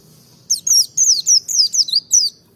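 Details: Merapi white-eye song meant to draw other white-eyes into singing: a brisk series of seven bright, high-pitched notes, each sliding downward, packed closely together.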